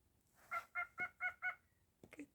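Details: Indoor pet cockatiel repeats five rough, nasal, bark-like notes at a steady quick pace, then falls silent before a sharp click and a person's voice.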